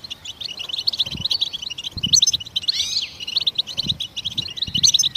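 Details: Goldfinch song, sung to stimulate other songbirds to sing: fast, high, tinkling twitter of clipped notes running almost without pause, broken near the middle by a few sliding whistled slurs, with soft low thumps underneath.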